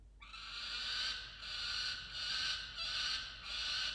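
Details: Peregrine falcon on a nest-box cam at dawn in late December 2022, defending a caught musk lorikeet. Five long, harsh, scraping screams follow each other with barely any break.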